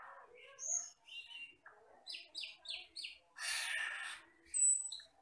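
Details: Glossy black, red-eyed Asian glossy starling from the forest, adults singing after three years of age: sharp ticking chirps in a quick row, a loud harsh rasping burst, then a pure piercing high whistle.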